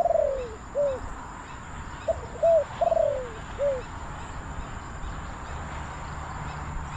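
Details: Spotted dove used as a decoy at a trapping site in Bang Li, calling to lure wild doves: two coo phrases of short hooked notes, each ending in a longer, slurred, falling coo, over faint rural background hiss.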